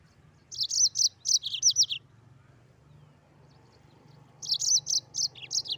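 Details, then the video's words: Mozambique canary in full rolling 'ngeroll' song: a quick run of about eight high, sharp twittering notes, a pause of roughly two and a half seconds, then another similar burst of bright chirps. "Burung Mozambik Gacor Ngeroll"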